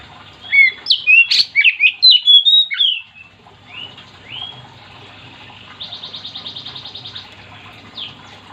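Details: Oriental magpie-robin in full voice, used to spur other magpie-robins to sing. A three-second volley of sharp whistles and slurs is followed by soft upslurs, then a rapid, buzzy trill of repeated notes.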